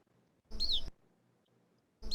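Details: Lesser Goldfinch imitating a Type 2 Evening Grosbeak call: a high, clear, down-slurred note, repeated after about 1.5 seconds over a low background hum; such imitations are described as very precise.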